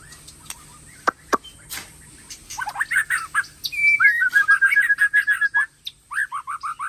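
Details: ['White-rumped shama of Aceh Tangse stock delivers a rich song: brief clicks, then a run of varied whistled phrases and a long, steady, level warble before quick repeated chirps, with a constant high whine in the background.']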